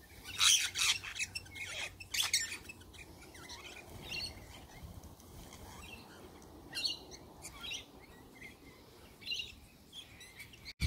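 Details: Sulphur-crested cockatoo screeching in the morning: two loud raspy squawks in the first seconds, followed by fainter scattered harsh calls and quiet background.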